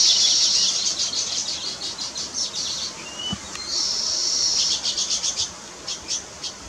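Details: Weaver bird at work building its nest, giving rapid, sizzling chatter in quick pulsed bursts, a long steady buzzy stretch in the middle, then a few spaced ticking notes near the end.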